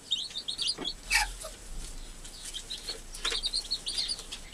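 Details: Newly hatched chicks with their American hen, who is caring for them; thin, high cheeping notes in quick irregular clusters, quieter, with some fluttering or rustling bursts between them.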